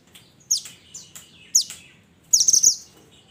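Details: Mountain minivet (mantenan) calling to its companions, used as a lure call: a quick run of high, thin chirps, a few single notes followed by a denser rapid cluster near the end.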